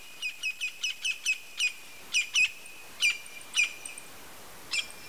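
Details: Campo flicker (Colaptes campestris), a large South American ground-dwelling woodpecker of open country, calling: loud, sharp, high notes, first repeated about five per second, then slowing to spaced single calls.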